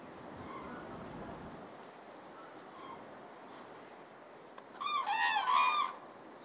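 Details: Common cranes at a spring migration stopover in Falköping, Sweden, where thousands gather and mates dance to bond. Faint distant calls open, then a loud, rolling, harmonic trumpeting call lasts about a second near the end.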